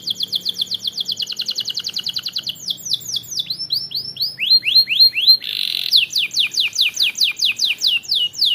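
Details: Canary song used to quickly provoke rival birds: a fast, even high trill, then a run of repeated down-sweeping whistled notes, a brief harsh buzzy burst, and more rapid falling notes, all bright, high-pitched and continuous.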